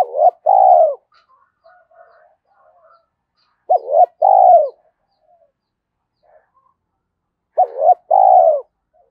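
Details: Cooing spotted dove meant to rouse decoy doves: three matching low phrases roughly every four seconds, each two quick notes then a longer falling coo, with faint soft chirps between.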